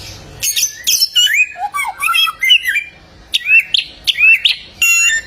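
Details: Golden samyong (bare-throated whistler) of Flores, Indonesia, a songbird of many voices: noisy harsh bursts mixed with looping slurred whistles, ending in short upward-sweeping notes.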